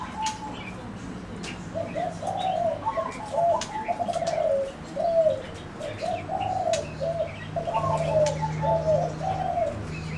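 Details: Soft staccato trilling coos of zebra doves, delivered in clustered rolling phrases across ten seconds, some notes overlapping as if more than one bird, with faint twittering and low hum behind.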